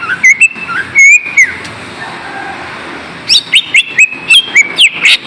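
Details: Green leafbird song played to rouse idle kept birds: scattered flat and slurred whistles, a quieter stretch, then a fast, lively series of sharp rising and falling notes.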